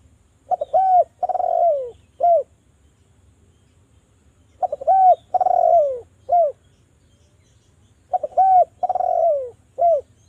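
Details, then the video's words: Spotted dove call used as a lure to make doves sing: a repeated phrase of two short clipped coos, a long descending coo, then a final short coo, sounding roughly every four seconds over a quiet background. "DERKUKU JAWA Suara merdu TAJAM, pancingan agar BUNYI jadikan burung DERKUKU BUNYI GACOR NGALAS"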